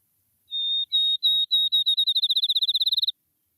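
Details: Field sparrow (Spizella pusilla) song: a few slow, clear whistled notes speeding up into a rapid bouncing trill, like a dropped ping-pong ball.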